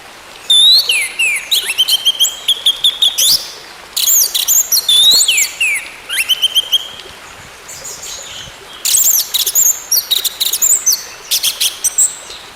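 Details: Orange-headed thrush song, played to coax a quiet bird into song: three long, varied phrases of rising whistles, rapid chips and sweeping slurs, each a few seconds long with short pauses between.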